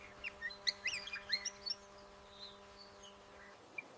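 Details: A Rainbow lorikeet pair calls to keep in contact in eastern Australian eucalyptus woodland: a quick burst of shrill, chattering screeches, then a few scattered high notes, over a steady low hum.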